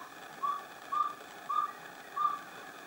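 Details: Pale-billed antpitta at San Lorenzo, northern Peru, in humid montane forest with chusquea bamboo; four pure, level whistled notes about 0.6 seconds apart over a quiet background.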